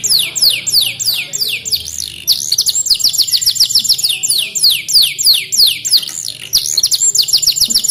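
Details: Canary taught by tutoring with ciblek gunung song, giving a long rapid string of high, steeply falling sweeps repeated at a steady fast pace, with short rising notes in between and a faint hum underneath.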